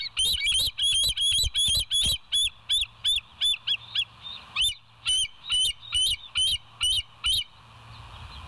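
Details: Bald eagles at West End, live nest cam, 26 September 2023 at about 7 a.m.: a long, nearly unbroken chatter of some two dozen high, squealing notes with flicked-up ends, fast at first then slightly spaced.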